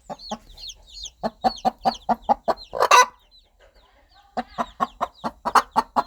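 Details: Mother hen clucking rhythmically to her baby chicks, a loud raspy squawk near the middle and a brief lull, then clucking again; chicks peep high in the background.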